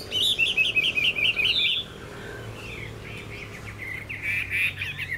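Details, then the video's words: Chinese hwamei kept in a cage sings a fast burst of repeated whistled notes, goes quieter, then resumes with softer slurred phrases. "Họa mi dáng ngũ trường, đấu xòe, hót tốt"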